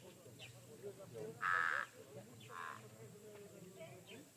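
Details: Pied crow, an everyday presence at a waterhole, calling at its usual time of day on 17 October 2023: two harsh, hoarse caws, the first long and loud, the second shorter, with a man talking quietly underneath.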